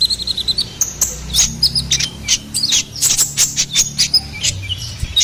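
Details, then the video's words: Ruby-cheeked sunbird song as a lure and master for songbirds: a quick string of high chirps, then busy overlapping tweets and clicks, over a faint low hum. "SUARA GACORAN KONIN KOLIBRI NINJA"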